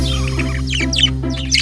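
Budgerigar giving quick, scratchy chirps and warbled twitters in short bursts, over a steady musical backing.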